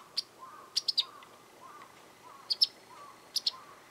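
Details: Japanese wagtail in a garden, calling frequently: clusters of two or three sharp high notes, while softer, lower, rising chirps from another bird repeat steadily underneath.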